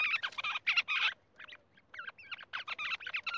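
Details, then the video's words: Rock bush quail calling in bursts of rapid, ringing chirps with some upward-curling notes, a brief lull in the middle, then a renewed jumbled chatter. "Rock bush quail sound"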